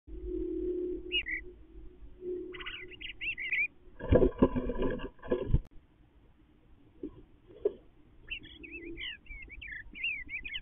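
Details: The resident male Eastern Bluebird sings inside his nestbox: soft, burry warbles in three short bursts, each a tumble of gentle rising and falling notes, interrupted midway by loud knocking thumps and a low hum.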